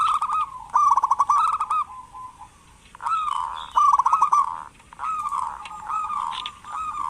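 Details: Zebra dove of a local type, cooing to prompt reluctant doves to call: rolling, stuttered coo phrases of fast pulses, each burst around a second long, with short gaps between phrases.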